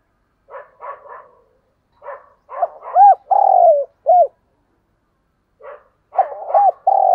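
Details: Decoy spotted dove cooing to draw in wild doves: soft grunting notes, then a full phrase of rising-falling coos with one long drawn note, and a second phrase starting after a pause.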